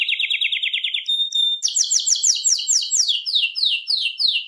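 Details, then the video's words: Canary (Serinus canaria) sings a bright, rolling song of fast repeated trills, one rapid chirp series giving way to a clear whistle and then broader, swept trill phrases. "Canto de pássaros Canários Silvestres"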